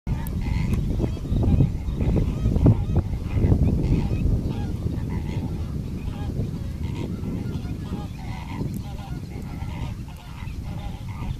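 A flock of greater flamingos keeps up a continuous goose-like honking and gabbling, many overlapping nasal calls several times a second.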